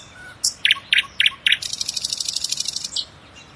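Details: Singing common nightingale delivers four loud, evenly spaced chopped notes, then a rapid rattling trill lasting about a second and a half.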